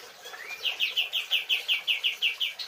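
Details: White-rumped shama song used to train cage birds: a soft rising whistle, then about eleven bright, evenly spaced whistled notes repeated quickly at a steady pitch, with a light background hiss.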